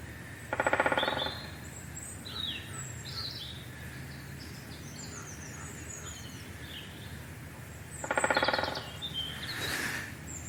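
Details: A woodpecker drums in two short, rapid rolls, each under a second, about seven seconds apart, while small birds chirp and twitter in the background; woodland walk, in a week of rising bird calling and drumming.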